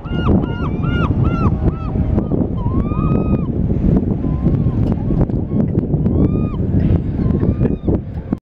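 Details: Two male gulls, either herring gulls or western gull hybrids, at the Chittenden Locks in Seattle, trade loud, nasal, arched yelps, several quick calls in a row, then single drawn-out cries, over steady low wind rumble.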